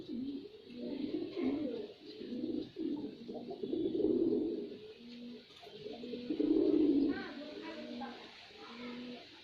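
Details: Male white pigeon performing, with a string of low, throaty coos pulsing in uneven swells, two louder rolling peaks in the middle.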